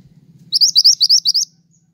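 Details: Pied triller singing steadily, recorded for trapping lures and training caged songbirds: seven rapid, sharp rising whistles in one second-long phrase, over a faint low drone.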